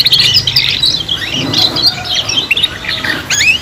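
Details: Young canaries practising their song as a trio: quick chirped phrases and rising and falling whistled notes, with a low background hum.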